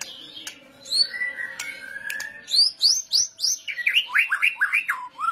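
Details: White-rumped shama in full kretetan-style song, used to lure other birds into singing: a drawn-out whistle, then a rapid series of sharp upslurred notes that drops into loud looping whistled slurs.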